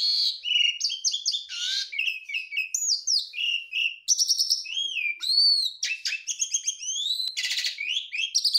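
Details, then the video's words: Javan pied starling, a jalak suren of the garuda type puffing itself up, singing a full, unbroken song packed with mimicked notes: rapid clear whistles, slurred rising and falling phrases, buzzy rattles and sharp chirps, high-pitched and varied with no pauses. "JALAK SUREN GARUDA MOMPA, isian full"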